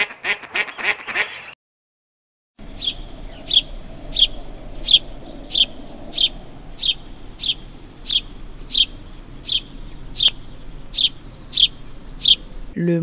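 House sparrow giving bright, clipped chirps about every two-thirds of a second, steady and repetitive; a brief burst of harsher calls opens before a short silence.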